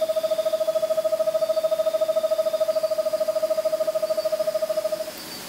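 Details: A Variable screech owl (Megascops atricapilla) gives a long, even, purring trill of about ten notes per second, low and steady in pitch, lasting five seconds, with faint insects behind.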